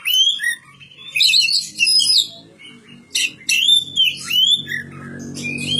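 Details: Singing Oriental magpie-robin kept in a village: strong whistled notes sliding up and down, interspersed with harsh chattering chirps and brief pauses, while a low hum and some background rumble rise toward the end.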